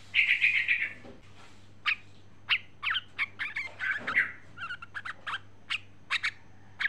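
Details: A female Yellow-vented Bulbul calling to a male gives a bubbly chattering burst, then short, bright chirps about twice a second, over a faint low hum.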